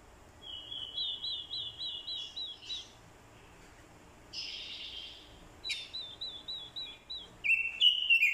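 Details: Orange-headed thrush, a decoy bird provoked by a female's call: rhythmic trills of evenly spaced, bouncing high whistles in two bursts, separated by a short harsher note, ending in a loud slurred phrase.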